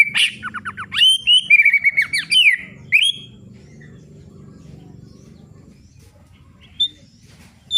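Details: White-rumped shama song meant to stimulate other birds: a burst of loud, varied whistled and chattering phrases in the first three seconds, then near silence with a faint low hum, ending with two short clear notes.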